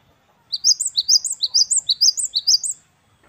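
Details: Great tit (gelatik batu wingko) singing actively in the wucit-wucit kristal style: high, bright two-note phrases rising and falling, repeated rapidly about a dozen times over two seconds, with a quiet background.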